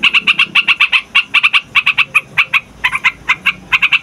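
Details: Trucukan (sooty-headed bulbul) in a long, loud rolling song used to lure wild birds and prompt young birds to sing: brisk chattering notes in short clusters with tiny gaps, steady bright tone throughout.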